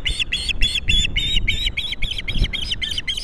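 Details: Rapid series of high, piercing chirped whistles from an osprey at its Captiva nest, male delivering a large fish to his mate, January 22, 2022; about a dozen evenly spaced notes in three seconds over low rumbling noise.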